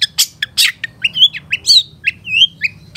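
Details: Long-tailed shrike singing a master song for training caged birds, mixing harsh scratchy bursts with clear upslurred whistles, notes spaced irregularly at well under a second apart.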